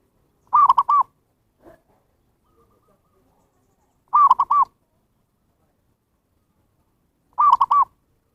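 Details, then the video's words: Zebra dove lure call for attracting wild birds: three rounded three-note cooing phrases about three seconds apart, with a faint short sound in one gap. "SUARA PIKAT PERKUTUT นกพิราบชวา Chim Cu Vằn | memanggil burung liar"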